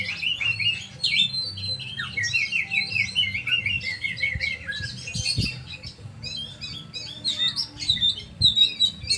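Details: Oriental magpie-robin giving a busy, continuous song of sliding whistles mixed with buzzy, chattering notes, loudness rising and falling, with a low steady hum behind.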